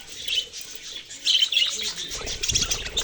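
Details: Budgerigars twittering with short, high, sharp chirps. Soft fluttering and low rustling noises join in during the second half.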